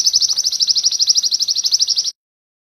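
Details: Canary song used as training material for other songbirds: a fast, even trill of high, sharp notes, about ten per second, held steadily for two seconds, then cut off into silence.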